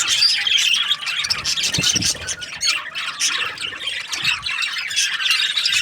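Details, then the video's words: Several budgerigar breeding pairs squawking and chirping at once, harsh scratchy notes mixed with thin high whistles in uneven bursts, with a few soft low knocks in the background. "Budgies parrot chirping sounds"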